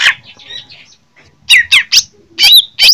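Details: Greater green leafbird, Jember type from Indonesia, singing as if fighting: soft warbling first, a brief pause, then four loud harsh chirps and a looping whistled note.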